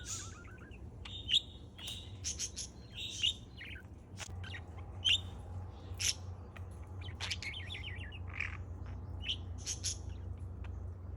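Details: Playing parrot recorded July 4: scattered sharp chirps, brief trills and a few squawky bursts, irregular and spaced out over a low background hum.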